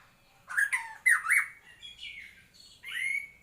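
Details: White-rumped shama singing short phrases: two loud slurred whistles with harsh overtones, a softer fading note, then another rising whistle after a pause.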